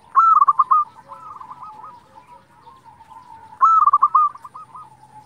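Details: Local Indonesian zebra dove singing actively, a recording used as a lure to provoke other zebra doves into answering. Two phrases about three seconds apart, each a high opening note followed by a rapid staccato rolling coo, with softer trailing coos between.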